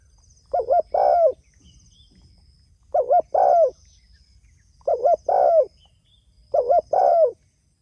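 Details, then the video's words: Spotted dove calling to others in regular bursts about every two seconds, each phrase two brief coos and a longer falling coo, four phrases in all with quiet hiss between. "Suara Burung Tekukur Gacor Memanggil Temanya"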